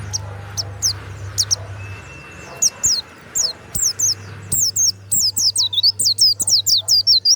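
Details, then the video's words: Loud 'ngeplong' song of a warbling white-eye kept in a cage in Bali: sharp, high, sweeping notes, scattered at first, then a fast unbroken string of twisting whistles, with a low hum behind. "SUARA PLECI YANG MANTAP"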